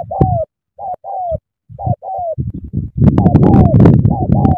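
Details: Spotted dove from Cà Mau, Vietnam, in sắm thổ-style cooing: clear paired coos with gaps, then a dense stretch where coos ride over loud low rumbling and crackling noise.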